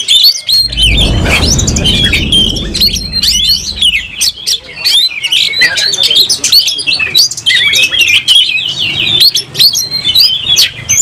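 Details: Oriental magpie-robin (kacer), worked up and ready to fight with its tail fanned, pours out dense, shrill whistled phrases and chatter; a brief rushing noise near the start, plus scattered clicks.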